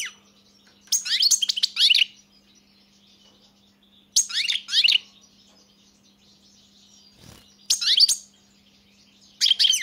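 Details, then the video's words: Short phrases of European goldfinch song, each a second-long burst of high, twittering and buzzy notes, separated by silent gaps of about two seconds, with one soft dull knock between phrases. "Pesma štiglića"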